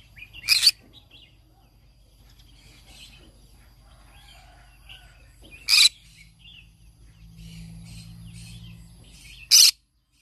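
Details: Green-cheeked conure singing, as it does every morning: three loud, raspy squawks spaced several seconds apart, with soft scattered chirps and a low hum in between.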